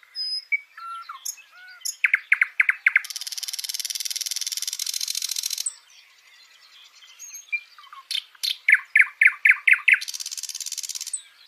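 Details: Live nightingale in full song, with whistled notes, a run of loud repeated chirps leading into a long rasping trill, a brief lull, then more rapid repeated notes and another buzzy trill.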